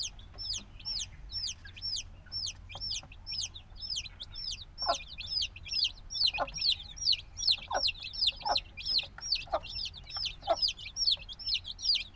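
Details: A brood of newly hatched black chicks keeps up shrill, down-slurred peeps in a dense overlapping chorus, about two or three notes each second, with faint knocks and scratching sounds beneath.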